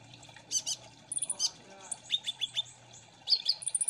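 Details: {'text': 'Kolibri ninja, a sunbird, recorded as a lure to get wild birds to answer and sing. High, thin, sharp chirps and short rising notes come in quick irregular bursts against faint background hiss.'}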